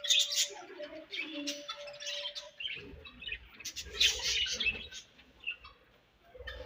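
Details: Budgies chirping while eating: rapid, high, scratchy twitters and short warbles in uneven bursts, with a steady low humming tone underneath and occasional soft knocks.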